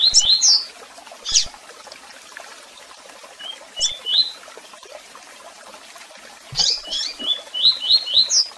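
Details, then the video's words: Tui tui song and chirping calls from a double-collared seedeater: high sharp chirps at the start, isolated chirps in the middle, then a steady run of rising whistled notes. "Canto de Coleiro Tui Tui Com Piado e Chamados!!!"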